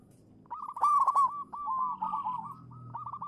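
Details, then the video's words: Local zebra dove, a champion lure bird, gives one loud ringing burst followed by a long series of softer stuttering coos over faint low background hum. "suara burung perkutut lokal manggung juara pancingan"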